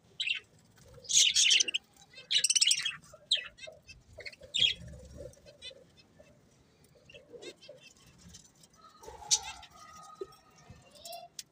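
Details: Budgerigars chirping: a few loud scratchy high chirps early on, then softer warbling chatter and scattered clicks, with a brief lower tonal sound near the end.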